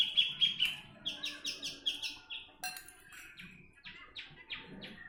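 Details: Javan bush lark from Jombang, East Java, Indonesia, singing as a tutor for other birds: clear, repeated downslurred whistles in quick series, then a pause and a second run of falling notes, on a quiet background.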